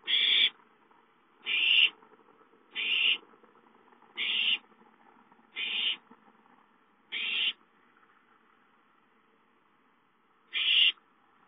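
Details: Owlets calling for food at home on 5-9-13; a run of short harsh hissy screeches, about one every one to one and a half seconds, then a longer pause before a final call, light background hum.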